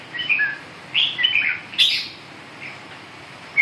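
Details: Red-whiskered bulbul giving three short bursts of bright whistled, slightly slurred notes about a second apart, one ending in a sharp high note, with quiet hiss between.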